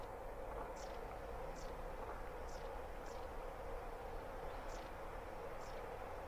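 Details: A fluffy white-headed long-tailed tit (Aegithalos caudatus caudatus), met at close range, gives thin, very high, short calls about once a second over a steady low rumble of traffic or wind.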